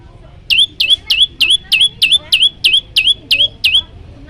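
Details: Yellow-bellied prinia in a provoking training recording: eleven loud, high notes, each a downward flick into a ringing steady tone, repeated briskly about three per second over a soft background.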